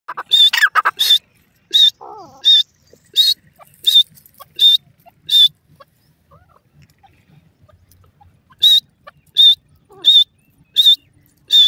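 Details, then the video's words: An Irani teetar (francolin) gives sharp, high, scratchy notes, about one every seven-tenths of a second, in two runs split by a pause of several seconds. "irani teetar ki boli"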